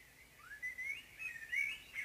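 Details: Morning song of a common blackbird, a continuous rising and falling fluted warble that swells in the second half, clear and unhurried against a still background.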